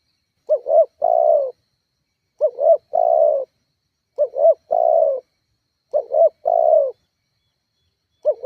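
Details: Spotted dove cooing, used as a lure to provoke rival doves and get kept doves calling. Four full phrases about every 1.8 seconds, each two short looping hooted notes followed by a long, steady, slightly falling coo, in a quiet background.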